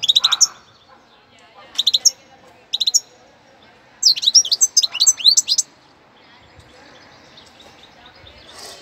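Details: Novice European goldfinch from Cádiz singing short chirps, then a lively one-and-a-half-second burst of high, tumbling twittering notes. A soft, grainy background hum and faint murmuring voices fill the pauses.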